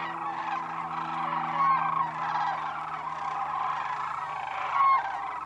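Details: Sandhill cranes spending the winter at Whitewater Draw Wildlife Area in Arizona; a steady murmur of crane calls with two louder rolling bugles standing out, over a low mechanical hum.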